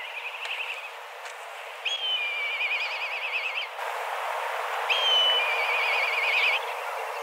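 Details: Black kites from a flock of dozens circling in search of food and calling hard. A faint opening trill is followed by two strong calls, each a sharp whistled start running into a steady wavering trill lasting about two seconds.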